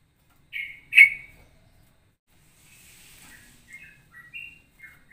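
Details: Ropelan-style straw-headed bulbul song, said to combine cucak rowo and cucak jowo phrasing: two strong whistled notes, then after a pause a run of soft, quick chirps and short whistles.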